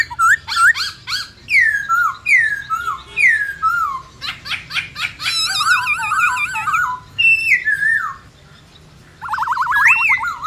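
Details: Black-throated laughingthrush (khướu bạc má) delivering a varied 'forest voice' song of many voices: descending whistled slurs, dense rattling bursts, wavering harmonic notes and a fast warbled trill after a short pause.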